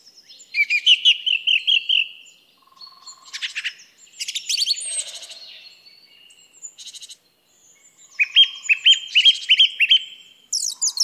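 A song thrush sings loud, bright phrases, each short note repeated several times in quick runs, broken by varied chirpy and squeaky phrases.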